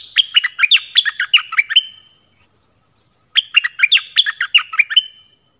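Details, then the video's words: Double-style song of a nok dok taeng played for young birds to learn: two dense phrases of fast, bright, tumbling chirps, each about two seconds long, split by a brief pause. "เสียงนกดอกแตงEp.5 Birds sounds เพลงเบิ้ล เปิดให้ลูกนก-ลูกเสอร้องตาม ใช้ต่อนกป่า เปิดให้นกคึก"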